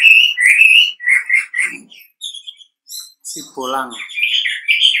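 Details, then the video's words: Wambi call used as a lure to make other wambi reply: clear whistled notes around the upper-middle range, some sliding and repeated in short phrases, with a brief lower harmonic vocal sound near the end and a person speaking nearby. "pancingan wambi gacor, wambi manapun bakalan nyaut"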